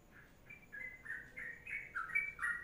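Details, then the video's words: Sooty-headed bulbul singing in the long 'kongslet' or 'ropelan' style: a run of short whistled notes, each dipping then rising, delivered in a steady sequence with slight background hiss. "Masteran Trucuk Kongslet Panjang"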